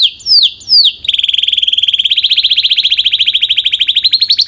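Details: A Belgian canary sings strongly: two downward-sweeping whistled notes open, then a long, rapid, steady trill that slowly climbs in pitch over more than three seconds.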